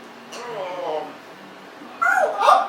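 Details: Pet Congo African grey parrot, 1.5 years old, indoors in a small room, producing speech-like mimicked talking: a low murmured phrase, then two louder, harsher syllables near the end.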